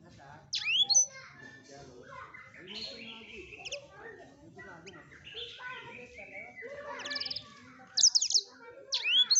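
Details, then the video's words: Blackthroat song for training other songbirds: scattered sharp high whistles and rapid buzzy trills rising near the top of the range, with softer varied warbled phrases between them. "Blackthroat #masteran Burung blekstrut Gacor"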